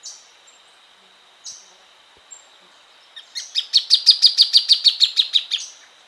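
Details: Plain thornbird: after a few scattered single notes, a loud rolling series of about fifteen sharp, evenly spaced chips rises in strength and then tapers off, over a faint steady hum.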